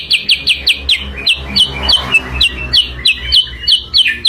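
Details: Sooty-headed bulbul chirping for use as a lure. Crisp, downslurred notes with a high clicking edge follow one another unevenly, some dropping lower near the middle. Faint rumble in the background.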